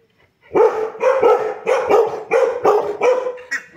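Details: Young buff-necked ibis in Mato Grosso, Brazil, calling noisily on a farm in the late afternoon: a run of about eight harsh, raspy, barking notes repeated roughly every half second, loud and explosive.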